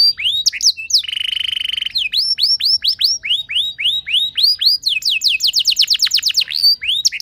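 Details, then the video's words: Canary pancingan song to prompt other canaries: a brief steady buzzy trill, then a long run of loud down-curving whistled notes repeated about three per second, ending in a quick rolling trill. "Cukup Putar Sebentar Saja Burung Kenari Lain Bakal Langsung Ikut Gacor Ngerol Mewah Dengan Pancingan"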